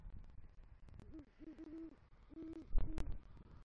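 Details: Male great horned owl calling for its mate after bringing a rodent to the nest, Southwest Florida, November 2023: two short bursts of deep hoots, followed by a loud knock and thumps.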